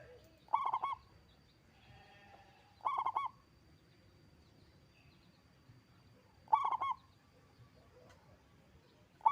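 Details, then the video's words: Local Indonesian zebra dove, a strongly singing bird with a big voice, gives three short stuttering cooing phrases of quick rolled, pulsed notes, each about half a second long, spaced a few seconds apart over quiet background. "Perkutut lokal gacor suara besar"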